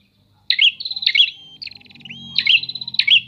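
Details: Answering prinias give rapid rattling, buzzy phrases with a ticking series and a thin rising whistle between them, over a faint low hum.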